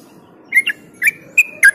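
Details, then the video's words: Yellow-vented bulbul song used to lure and stimulate other bulbuls: a few short bubbly whistled notes with a thin sustained tone, spaced irregularly over a soft low background hum. "Trucuk Ropel Joss Buat Pancingan Burung Yang Jarang Ropel Dijamin Gacor Dor"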